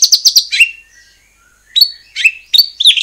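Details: Murai batu (white-rumped shama) song played to prompt rival shamas to answer: a quick run of high chattering notes, a thin falling whistle, then a pause and several sharp upslurred notes.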